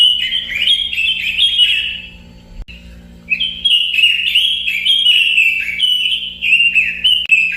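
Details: Robin song in two bursts of fast, high, warbling whistles with falling slides, separated by a softer lull near the middle; a faint steady hum beneath.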